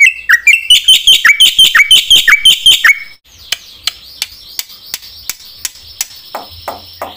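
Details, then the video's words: Lure song of a vigorous black-winged myna meant to provoke rival mynas: a quick series of bouncing whistled notes lasting about three seconds, followed by faint, spaced clicks and a few soft rasps. "sekali putar bikin JENGKEL semua burung jalak - pancingna suara jalak putih gacor full isian"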